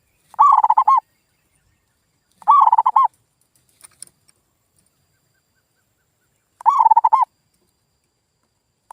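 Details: Zebra dove calling as a lure for local doves that refuse to sing. Three brief trilled coo phrases, each of rapid pulsed notes, come at uneven gaps of two to four seconds, with faint clicks between.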